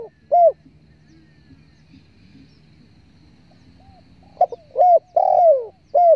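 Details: Spotted dove (tekukur) calling, used as a hunting lure to draw birds in: a single mellow coo, then a long quiet pause, then a phrase of short coos ending in a longer, drawn-out, falling coo, with low background rumble.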